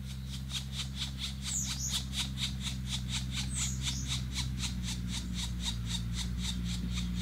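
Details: Black woodpecker with three chicks, Danube Delta, Romania, June 2018: rapid buzzy pulses repeated about four times a second, steady throughout, over a constant low hum.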